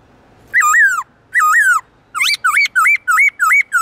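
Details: Black-throated laughingthrush singing its forest-style song, played to train captive birds: two long, loud, wavering whistles, then a quicker series of looping, rising-and-falling whistled notes with rich overtones, about seven in under two seconds.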